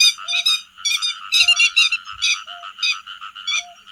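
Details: Grey-headed lapwings calling to the flock as a netting lure: harsh stacked calls in loud bursts about every half second over a steady chorus, plus a short lower tone repeating regularly.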